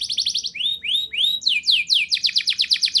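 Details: Song of a canary, meant as a prompt to get young canaries singing: a short trill, slow upward-swooping whistles, then quicker repeated downswept notes building into a rapid roll.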